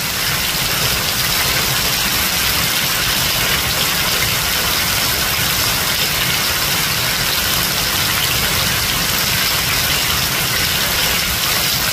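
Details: A steady, hissing wash of engine-like noise runs throughout, with no distinct animal calls standing out.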